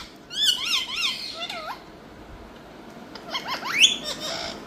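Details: Talking rose-ringed parakeet, an Indian pet bird, utters a string of bouncing, wave-shaped harmonic notes, pauses, then gives quick upswept squeaky calls.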